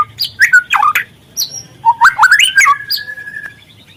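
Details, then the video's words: White-rumped shama (murai trotol) sings to stimulate other birds: loud tumbling slurred notes, then a rising stepped phrase ending in a held level whistle that fades out. "pancingan murai trotol agar terangsang untuk bunyi"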